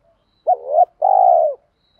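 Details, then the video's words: One spotted dove coo, used to stimulate decoy birds in training: a short rising note sliding into a hollow tone, a brief pause, then a longer steady coo fading downward. "tiếng chim cu gáy kích bổi"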